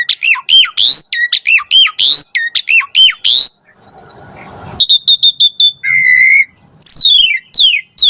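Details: Asian pied starling singing energetically, played as a lure for reluctant singers: repeated hooked squawking notes, a soft scratchy pause, then rapid clicks, a steady whistle and descending buzzy trills.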